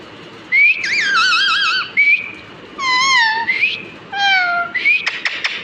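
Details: Talking pet parrot imitating human speech with wavering, warbling tonal syllables, some bending down in pitch, delivered in four or five bursts and ending in a few quick clicking notes, loud and close.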